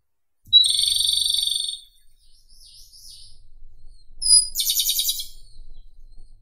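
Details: Two Japanese robin song phrases. The first is a sustained buzzy trill, the second opens with a sharp high whistle before a rapid rattling trill. Quieter twittering fills the gap between them.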